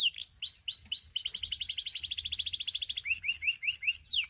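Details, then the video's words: Russian canary singing loudly: a few slurred upward whistles, a long rapid trill of repeated chirps, then a new phrase of looping, rising notes. "The Russian Canary Invites All Canaries to Sing"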